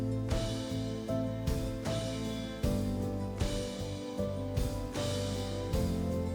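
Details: Guitar music with steady drum beats and sustained chords fills the recording, with no animal calls.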